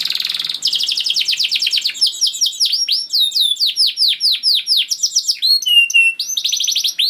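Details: Canary in continuous long 'gacor' song to prompt other canaries to sing. Opens with a harsh buzz, then dense rolling trills and many quick downswept whistled notes, with a brief flat whistle near the end.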